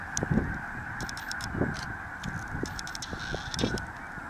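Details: A large flock of snow geese at Merrill Creek Reservoir keeps up a constant clamour of honking, with a few louder individual honks standing out from the massed background calling.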